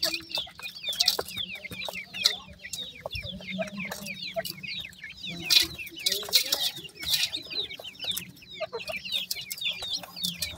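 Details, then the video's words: Many grey francolin chicks calling together in thin, high, downslurred peeps packed closely, nearly continuous twittering, interrupted by sharp clicking or scraping noises and faint low clucks beneath. "grey francolin chicks speech,sweet voice of a baby pheasant"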